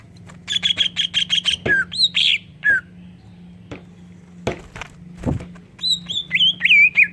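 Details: Greater green leafbird song filled with kingfisher-style notes, meant to prompt other leafbirds to sing: a quick trill, then loud downward-slurred whistles, with isolated clicks and a steady low hum behind.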